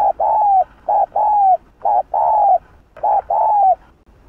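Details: Spotted dove in the 'Hạp Bổi' voice, giving an urging coo to provoke other doves. Paired notes, one short coo then a long gently falling coo, follow each other almost without pause, about once per second.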